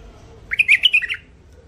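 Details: Thick-throated mule finch producing a single quick twittering phrase of about six loud, high chirps, clean against faint low hum.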